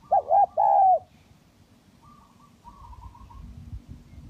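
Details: Spotted dove, kacuk and kampung types, in a lure recording: one phrase of a quick double coo and a long downward coo, then faint thin chirps and low rumble.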